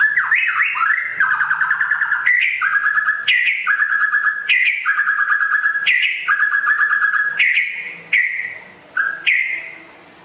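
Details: White-rumped shama from West Aceh, described as rare and a constant singer: loud repeated phrases of rapid buzzy trills with sharp rising whistled notes, delivered in quick succession with short gaps near the end.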